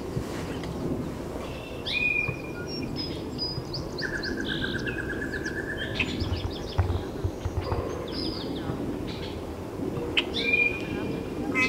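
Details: Great-tailed grackle in Taos, New Mexico, on June 17, 2017, giving a varied mix of sharp chips, short rattles, a long buzzy beaded note and thin whistles spread across several seconds, against continuous low rumbling noise.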